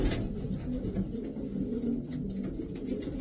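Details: Racing pigeons of the Davy Van Roy line coo in short, low, tonal pulses with a throaty wavering quality, several birds overlapping, over a soft background hum and a brief click at the start.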